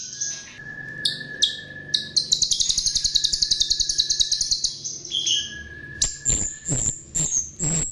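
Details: Lure song from a chestnut-tailed starling: a few sharp notes, then a long fast rattling trill of ticks over a steady whistled tone, followed by several loud sharp chips.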